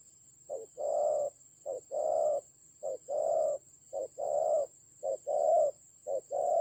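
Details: Fierce fight with a decoy bird, spotted dove recorded in Vietnam's Central Highlands mountains, October 2020: six paired coos, a brief note then a broader sustained one, repeating roughly each second over a constant faint whine.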